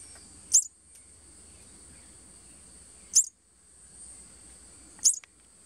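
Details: Thick-billed euphonia giving three sharp, very high chip notes spaced two to three seconds apart, over a steady insect drone. The calls come at a nest holding two immatures, about six days from fledging, in a hanging basket in Boquete, Panama, on 21 May 2020.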